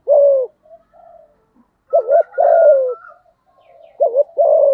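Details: Male spotted dove of the earthy-voiced type cooing to provoke a rival, with a long falling coo, then two-note openings each followed by a sustained descending coo, and a faint high whistle in the background.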